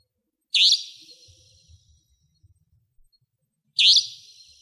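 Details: A savanna nightjar near a house in Pingtung County, Taiwan, gives two loud, harsh, high-pitched 'tchweep' calls about three seconds apart, each a sharp burst trailing off, over a faint low rumble.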